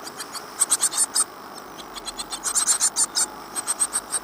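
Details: Fifteen-day-old great tit chicks inside a nest box in Falmouth, UK, spring 2011, giving high, raspy begging calls in quick trains of five or more notes, one long pause midway.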